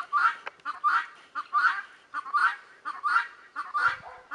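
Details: Guineafowl sounding behind Leghorn chickens, giving paired harsh, rasping cries in pulses about every three quarters of a second, with a short low thud near the end.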